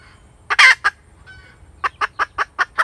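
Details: A cackling hen gives two loud, harsh, drawn-out squawks, a pause, then a steady series of short clipped clucks.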